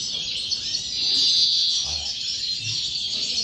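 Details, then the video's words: A European goldfinch sings a fast, unbroken flow of bright twitters and tinkling trills, swelling in loudness midway, with faint low knocks in the background. "Jilguero pegando corona"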